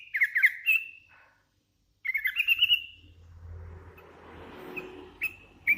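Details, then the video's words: Lively song from a hand-reared Sooty-headed bulbul: two bursts of quick bubbling whistled notes separated by a pause, followed by a soft rushing background noise and a few thin whistles near the end. "Suara ASLI kutilang LOLOHAN GACOR"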